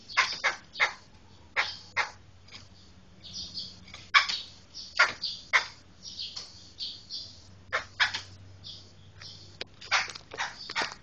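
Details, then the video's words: Rough chattering song of a Medan black laughingthrush: rapid harsh bursts mixed with softer buzzy fragments, irregular rhythm over eleven seconds, a faint low hum underneath. "Suara Kicau Burung Poksai Hitam Medan"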